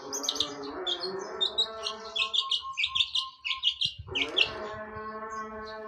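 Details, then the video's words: Long-tailed shrike in fighting mood, imitating a sparrow: a steady stream of short, high chirping notes repeated rapidly over a lower harmonic droning sound in the background. "Cendet Gacor Nembak Gereja Tarung!!!"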